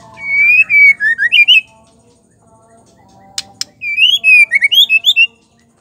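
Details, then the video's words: Female Oriental magpie-robin call used to make males sing: two bursts of loud, clear whistles, each sliding up and down in short phrases, separated by a pause with a sharp double click. "Suara Murai batu betina gacor terapi penggacor"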